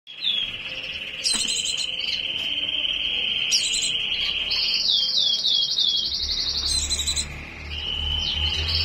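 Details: White-eye in breeding condition: a long, high, steady buzzy trill sustained for seconds, broken by brief even higher chattering bursts and a few quick descending slurred notes, over a low background hum.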